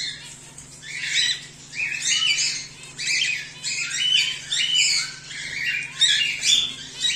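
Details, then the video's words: Home-bred cockatiels, whiteface emerald and exhibition grey male, squawk almost continuously: rough, buzzy notes with rising and falling inflections, tightly overlapping, with a constant low electrical hum. "Whiteface Emerald Cockatiel | Emerald Cockatiel | Exhibition Grey Male"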